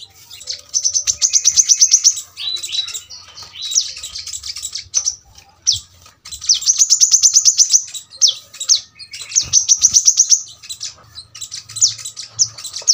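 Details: Brown-throated sunbird in 'tembakan rapat' song for tutoring birds at home: repeated bursts of piercing, fast-rattled high notes mixed with slurred downward whistles and short chips, with gaps of a second or so between phrases.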